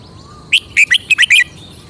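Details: Caged red-whiskered bulbul showing off its distinctive song phrasing: after half a second of quiet, a quick burst of five or six bright, slurred whistled notes, with a steady faint background hum.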